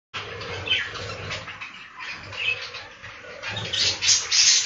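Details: Budgerigars inside a breeding room on a budgie farm, a continuous chatter of many birds with warbled, scratchy calls and brief bright chirps overlapping, rising louder toward the end, with a low rumbling hum underneath.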